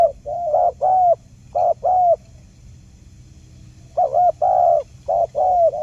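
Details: Lure call of a spotted dove meant to make silent birds answer: two bursts of low coos in short-long pairs, separated by a pause of about two seconds.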